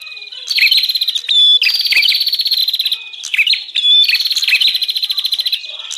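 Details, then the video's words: Energetic bar-winged prinia chatter used as a lure: two long, scratchy, trilling phrases of rapid notes with a short, clipped burst between, steady throughout. "Suara pikat burung prenjak Ribut"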